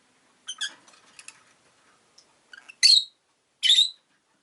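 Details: Rosy-faced lovebird chirping: a few soft, scratchy notes early on, then two loud, harsh, buzzy chirps about a second apart near the end, with quiet gaps between.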